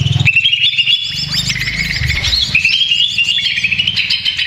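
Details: Greater green leafbird, excited and noisy as a lure, delivers rapid rippling chatter and bright whistled slides in a dense unbroken run, low hum in the background.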